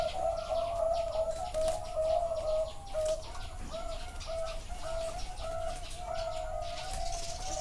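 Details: Zebra doves at a bird farm in Chana, Thailand, heard live. They give rapid, rolling, mid-pitched cooing trills in quick runs, with overlapping birds and constant background noise.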